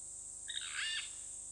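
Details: Purple Roller at Hyena Pan, Khwai Private Reserve, Okavango Delta, Botswana, one of a pair on a camp camera: brief coarse, scratchy rasping note with a slight rising-falling shape, a steady thin whine running throughout.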